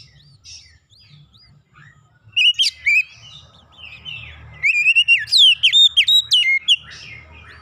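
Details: An Oriental magpie-robin sings as a prompt for other birds, starting with faint notes, then bursts of sharp, high whistles and repeated descending slurred phrases delivered rapidly, over a low steady background rumble.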